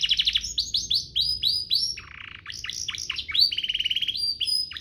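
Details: Canary song offered as training material for young birds and to stimulate singing: rapid trills, a series of downslurred whistles, a low buzzy section, then more sweeping notes and a quick rattle.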